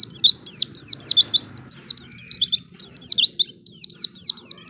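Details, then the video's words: White-eye lure song to encourage other white-eyes into singing: continuous high, quick descending whistles in chattering runs with barely any breaks, soft low background noise. "Pancingan Pleci Paling Handal Bikin Pleci Bahan Cepat Bunyi"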